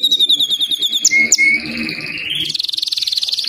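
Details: Belgian canary, white and crested, sings a high chattering run and a brief pure whistle, ending in a rapid trill, with faint low background noise.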